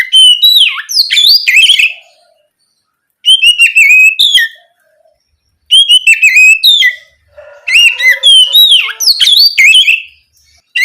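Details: Oriental magpie-robin singing at night in the open, continuous ngeplong style, used as a lure to spur young spotted magpie-robins into singing; loud bursts of sharp, varied whistles and chattering notes separated by short silences.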